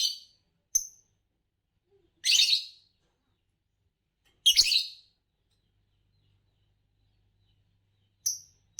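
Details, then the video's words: Green Fischer's lovebird, the kind that often wins Indonesian bird song competitions and is known for long songs; sparse, harsh, buzzy chirps in short bursts, with thin high ticks between them, separated by silent gaps. "Lovebirds Chirping Sounds"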